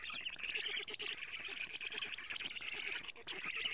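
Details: Black stork nestlings at a nest in Estonia, watched by a live nest camera on 14 June 2017 at 07:47 as the female brings many lampreys; dense, squeaky, wheezing chatter with rapid pulsing, continuous throughout.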